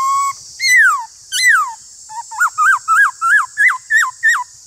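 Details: A Black-throated laughingthrush sings in a duel against another laughingthrush: two loud downward-sliding whistles, then eight rhythmic looping notes repeated at a brisk pace, with constant high hiss underneath.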